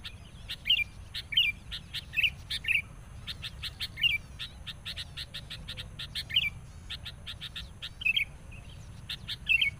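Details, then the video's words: Sooty-headed bulbul decoy, agitated at a rival during bird trapping: rolling, bubbly two- and three-note phrases about every second, set among dense, sharp, high chirps and a low hum. "PIKAT KUTILANG NGAMUK NGOTOT. SAAT BERTEMU LAWAN.."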